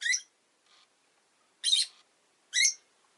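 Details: Three loud, grating chirps from a rosy-faced lovebird, the middle one longest and harshest, with a faint short note between the first two.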